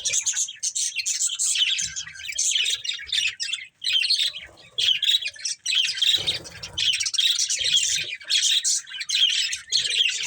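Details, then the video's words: Several budgerigars in near-continuous scratchy, high warbling and chirping, with squawky notes and a soft low thump midway. "Cute Budgies Chirping Sounds"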